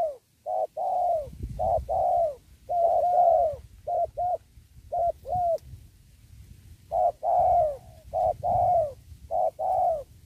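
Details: Spotted dove, known locally as tekukur, calling near a sacred tree while wild doves are trapped: short hollow coo notes in clustered bursts separated by pauses, low and mellow, over a quiet rural background with soft low noise.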